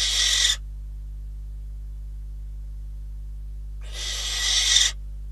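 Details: Barn owls at a Catalonian nest on 12 December 2021, filmed by a live nest camera during prey deliveries of a bird and then a rodent; two harsh, hissing screeches, the first short and the second about a second long, separated by silence.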